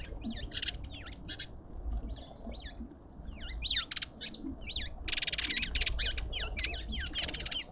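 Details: Lovebird at a busy bird feeder in a suburban garden in Pretoria, South Africa: shrill, squeaky chatter of quick up-and-down shrieks and sharp chirps, with a harsher squawking burst midway over a low outdoor rumble.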